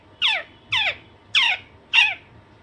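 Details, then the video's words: Four evenly spaced, downward-sliding harsh squawks from an Alexandrine parakeet, one roughly every 0.6 seconds, loud and raspy over a quiet background. "Alexanderine naughty parrot/parrot natural sound"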